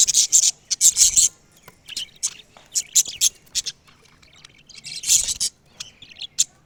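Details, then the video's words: A parrot said to be talking gives clusters of shrill, raspy squawks and thin chirps, loud at the start and again near the end, with quieter scratchy notes in between. "Parrot 🦜 talking"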